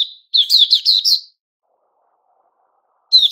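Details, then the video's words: White-crowned shama in fresh new feathers singing a quick burst of bright, chirpy high notes for about a second, then silence before another phrase begins at the end. "Puteh Raja season new feathers"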